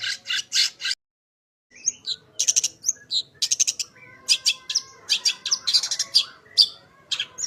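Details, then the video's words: Long-tailed shrike full song meant as master material for shrikes: dense, varied high chirps and rasping notes, a brief silence near the start, then busy overlapping phrases with some lower whistled slurs. "Burung Cendet Gacor full isian suara paling jernih cocok buat masteran cendet agar cepat bunyi gacor"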